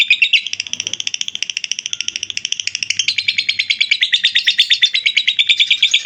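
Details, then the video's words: Lovebird giving its ngekek, a long unbroken chattering used as a master recording for training other birds: rapid, evenly pulsed, high metallic notes, around ten per second, which shift slightly higher partway through. The background is quiet. "Love bird ngekek"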